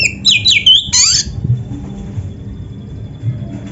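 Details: Oriental magpie-robin (kacer) song for training caged birds: a brief burst of high squeaky slurred notes and a falling sweep in the first second, then near silence with a faint steady hum.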